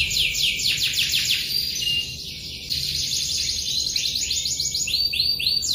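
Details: Lively canary song with long rolls: quick repeated falling notes, a short steady whistle, a softer dip, then renewed fast trilling and a final set of rising looped notes.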